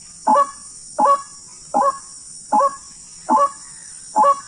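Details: Six loud, gravelly honks from a wild white-breasted waterhen during a hunting trip, delivered in an even rhythm close to one per 0.75 seconds. A high steady hiss accompanies them.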